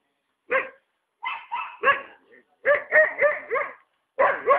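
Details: Loud, harsh hyacinth macaw calls at a rural property in Ilha Solteira on the Paraná River, Brazil: a single squawk, a rasping series, another burst of about four grating notes, then two more.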